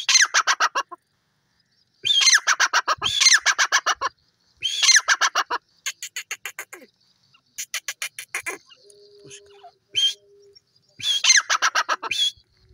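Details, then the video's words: Repeated loud rasping call bursts from a francolin (teetar), each a rapid chain of harsh clicks and squawks, recurring every couple of seconds, with a faint steady tone in the background midway. "Teetar Voice,Teeter Birds ki awaaz"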